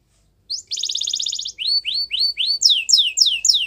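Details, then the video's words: Canary singing meant for training young birds: a fast high rattling trill, then a series of rising whistled slurs, ending in sharp descending sweeps repeated about every quarter second. "Canary Bird Sounds | The Best Canary Singing For Training"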